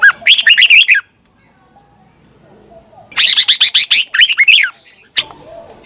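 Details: Red-whiskered bulbul singing in the morning as a training song for other bulbuls. A short burst of bright warbling notes, a silence, then a longer loud run of quick looping whistled notes, ending with one brief note; faint steady high whine.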